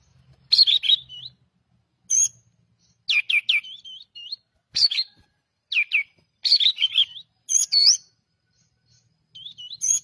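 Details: Pied triller giving repeated short bursts of piercing falling chirps, each ending in a quick whistled twist, in about eight phrases spaced roughly a second apart, with a faint low hum at the start.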